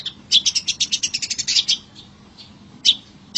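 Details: Long-tailed shrike in the wild: a fast, stuttering chatter of a dozen or more sharp high notes over about a second and a half, followed by a few scattered squeaky notes.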